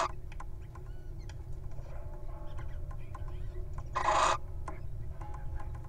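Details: Wild little owl guarding its partner at a nest box: a single drawn-out hissing screech near the end, preceded by scattered faint ticks, over a persistent low rumble.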